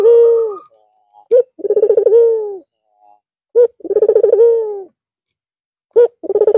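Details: Cooing of a white, red-eyed Barbary dove resuming manggung after a long Eid al-Fitr rest: repeated phrases of a clipped accent note followed by a deep trilled, pulsing coo with a drawn-out tail.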